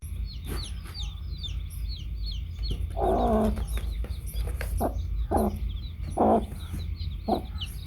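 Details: Hen with baby chicks: short, low, throaty clucks in irregular bursts, with faint high peeping from the chicks and a steady low rumble of background noise.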